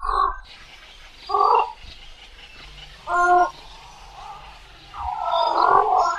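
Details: Javan pond heron giving three hoarse, croaking squawks, the last one longer and rougher, separated by pauses of about a second, over faint low background rumble.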